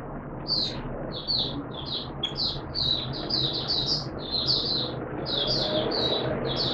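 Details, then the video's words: Caged oriental white-eye singing on the second day of a monthly deworming treatment: a quick run of high twittering chirps in short clusters, soft and somewhat distant, over steady low background hum. "Mata Puteh T Rex Buka Sing"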